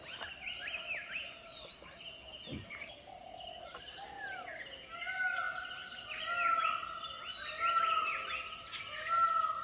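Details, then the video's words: Indian peafowl calling from a distance in Tipeshwar Wildlife Sanctuary, Yavatmal, while a peacock dances nearby; drawn-out harmonic wailing calls repeat over several seconds amid chirping from other birds. "मोराचे 3-4 आवाज ऐकायला येतील आणि त्याचबरोबर एक डिअर कॉल पण ऐकायला येईल. नीट ऐका, बघा ऐकायला येतोय का."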